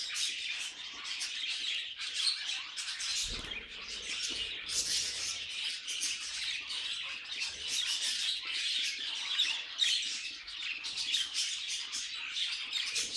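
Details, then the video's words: Several pet budgerigars chatter and warble for a long stretch, rapid squeaky chirps and rasping squawks overlapping without pause, broken only by a soft low thud near the start. "Budgies Singing and Being Cute"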